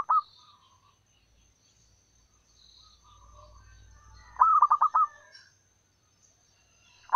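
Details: Wild local zebra dove used as a lure, calling to attract males: a rapid burst of about five staccato cooing notes, mid-pitched and evenly spaced, with brief note fragments at the start and end and quiet gaps between.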